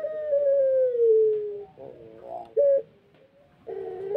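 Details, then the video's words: A Pelung rooster, whose voice is not yet at its best while its tail heals, ends a long sustained crow that slowly falls in pitch, followed by short rough notes and a brief clipped call. "puter pelung asli panjang enak di dengar"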